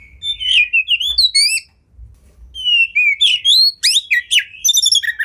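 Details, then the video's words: Oriental magpie-robin, caged, in a tutor recording with 'tembakan' fills: rising slurred whistles repeated in series, a short break, then more upslurred whistles ending in rapid chattering trills. "Masteran Burung Kacer Full Isian Tembakan"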